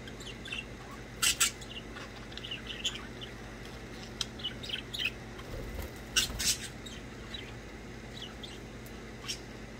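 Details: Budgies at play indoors, chirping in short bursts: clusters of sharp, scratchy chirps with two loud double notes near one and six seconds, softer twittering between, faint low hum.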